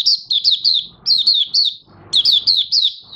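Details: Oriental white-eye beginning to sing, 30 August 2022, new white plumage nearly pigmented; clear high chirps falling in pitch, grouped in three phrases of about four notes each, roughly evenly spaced.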